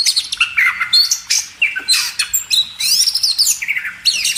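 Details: Kacer, the Oriental magpie-robin, in a cage-bird training recording: short, bright whistled phrases and buzzy high sweeps that alternate quickly, with brief gaps between bursts.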